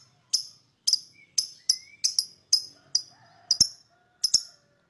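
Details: Lovebird chirping to lure other birds: single sharp high chirps spaced about half a second apart, with faint thin whistles from other birds in the background.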